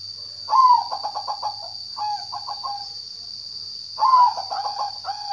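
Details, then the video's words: Repeated soft, rhythmic cooing from a zebra dove: a rising slurred start, then five or six quick pulsed notes ending in a drawn-out coo, heard twice, with a continuous shrill tone behind. "Kicau burung perkutut"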